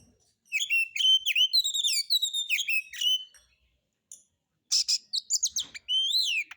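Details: White-rumped shama song used as a lure for other birds, harsh material: a fast string of sharp whistled chirps, a brief pause, then buzzy bursts and a long rising whistle.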